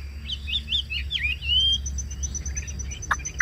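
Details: Chinese hwamei in song, a kept cage bird: quick looping whistled phrases that rise and fall, then one long sustained clear whistle, and a sharp click near the end.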